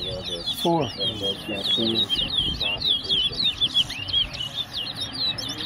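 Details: Competition singing by a Wessequibo towa towa, or large-billed seed finch, at Tuschen bird ground in Guyana: steady stream of high, sharply slurred whistled notes while men talk and count in the background.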